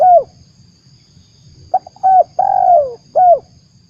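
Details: Lure call of a spotted dove for trapping birds: a short coo, a pause, then a stuttered start, a clipped coo, a long descending coo and a last short note, over a faint hum.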